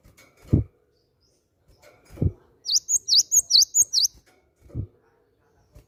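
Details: Cinereous tit lure call, known locally as gelatik batu and used to make other birds sing: a string of about five quick, shrill chirps between loud low thuds that come before and after.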